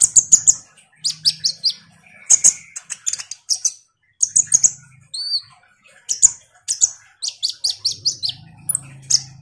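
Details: Vigorous lure song of a kolibri ninja (Van Hasselt's sunbird) for coaxing silent birds into song. Dense series of sharp, very high chips and short twitter bursts, with a soft low hum in the background.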